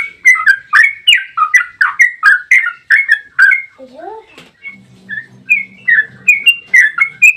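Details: Yellow-vented bulbul in long 'ropel' song, used as a lure for other bulbuls: a fast run of warbling notes, then a pair of rising whistles and a low hum, followed by sparser slurred whistles.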